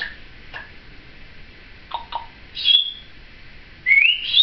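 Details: Female Timneh African grey, aged seven, chattering beside her caregiver indoors: a few soft clicks and low chirps, then a sharp high whistle and a final loud rising slurred whistle, with brief human speech.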